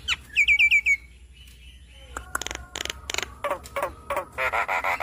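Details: Javan myna song used as therapy so a stressed caged bird sings actively: a fast run of rising whistled chirps, a lone low whistle, then loud harsh broken bursts and a dense raspy chattering phrase.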